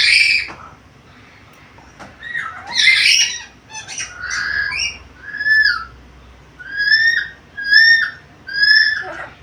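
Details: Black-capped lory, vocal and talkative, giving varied sounds. A jumble of harsh squawks opens, then about seven clear, rising whistled notes repeat roughly every second, each with bright overtones.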